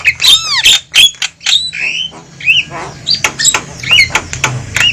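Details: Javan myna calls used for luring wild birds to a trap: harsh squawks mixed with looping whistled notes and downslurred chirps, sparser and more varied, over a low steady hum in the background.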